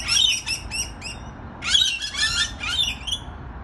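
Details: Rainbow lorikeets (Trichoglossus moluccanus) on a balcony give shrill, screechy chirps in quick bursts, a run of short notes then a louder, harsher cluster of overlapping calls.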